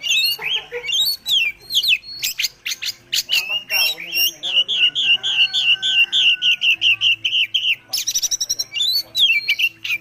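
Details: Caged Oriental magpie-robin, a prized white-spotted bird, singing a full varied song: rapid loud whistled phrases, sweeping notes and dense chattering bursts, with a long steady whistle near the middle and a low background hum.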